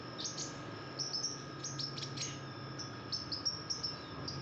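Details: Female red-whiskered bulbul in breeding condition, calling actively: bursts of short, sharp, high chirps in small clusters through the clip, over a steady faint hum and a continuous high thin tone.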